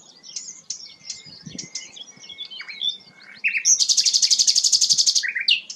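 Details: Energetic song from a sikatan londo flycatcher, valued as a tutor voice for magpie-robins: soft mixed twittering with a thin steady whistle underneath, then a sudden loud rapid buzzy trill of evenly spaced pulses and a final slurred note.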